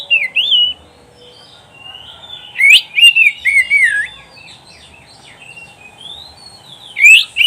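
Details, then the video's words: Song of an oriental magpie-robin, recorded for training pet birds: looping whistles and a rapid run of sharp, sweeping notes near three seconds, then a quieter warble and a final loud burst. "SUARA KICAUAN BURUNG KACER TERBAIK"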